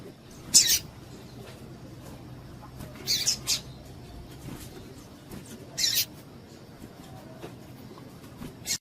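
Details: Female double-collared seedeater call meant to stir up males kept by breeders for singing contests: brief bright high-pitched chips, some doubled, coming every two to three seconds against a faint low background hum.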